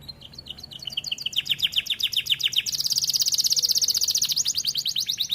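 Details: A young caged canary beginning to sing in an aviary, delivering rapid trilled phrases of repeated notes about four per second, shifting from lower rolling notes to a brighter, faster high trill.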